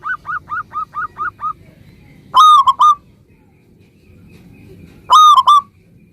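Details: Local zebra dove in song, meant to get other zebra doves to answer right away: a run of eight short repeated notes, followed by two loud, bright three-note cooing phrases.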